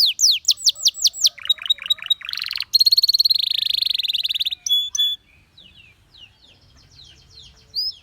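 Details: Belgian canary singing a varied, loud song: rapid series of repeated descending whistled notes, then a buzzy broadband phrase, a long fast trill held near one pitch, sharp chips, and softer twittering toward the end.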